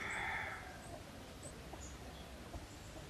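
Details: Red junglefowl near a pagoda by Teuk Chob Khnar Po Community Forest, Siem Reap, Cambodia, gives a brief, harsh, rooster-like call under a second long, then a faint background hum and scattered thin, high chirps of other birds.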